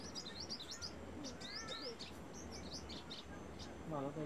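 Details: A Brown-throated sunbird in Cambodia gives quick runs of thin, high, squeaky chirps and a few lower sliding notes; a brief, deeper voice-like sound comes at the end.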